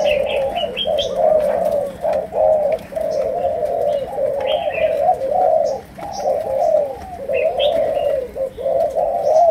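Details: Spotted dove of the Malaysian type giving chiêu gù cooing in sấm đồng tone: steady low rolling coos in phrases about a second long, repeated almost without pause, with thin high chirps from small birds above.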